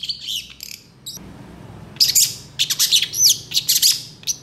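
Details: Long-tailed shrike singing actively as a master song full of varied phrases, quickly roused by other shrikes: a few scratchy high notes, a brief lull, then rapid bursts of harsh chatter and thin whistled slurs.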